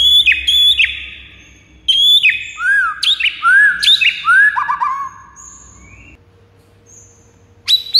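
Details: White-rumped shama song used to stir rival birds into singing: rich, varied whistles, slurred up and down, with sharp high notes and a quick trill, then a brief pause before resuming.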